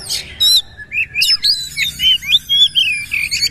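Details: Oriental magpie-robin in powerful bowing-style 'nembak' singing: a brisk run of clear, high whistled notes swooping up and down, about a dozen quick phrases, opening with a couple of harsh rasping bursts.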